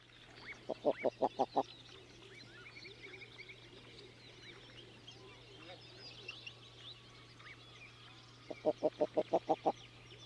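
Common eider giving two bursts of six or seven harsh, rapid, low clucking notes. Fainter calls of other birds and a steady low hum fill the background.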